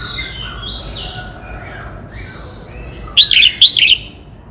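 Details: Red-whiskered bulbul from Cao Bang, Vietnam, kept as a cage bird, singing: a short burst of bright, sharp, chirped notes near the end, preceded by quieter fading whistles.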